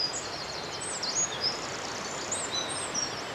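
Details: Male wren singing in woodland at Dare Valley Country Park, Wales, loud to attract a mate; fainter high twittering phrases with quick warbled notes over a constant hiss.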